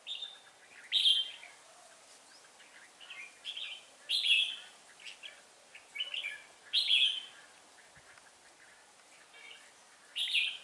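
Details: Decoy red-whiskered bulbul at a trap in Hòa Bình on 18 December 2016, giving ché-style song: loud chirpy, slurred phrases in clusters every two to three seconds, quieter notes between, otherwise calm background.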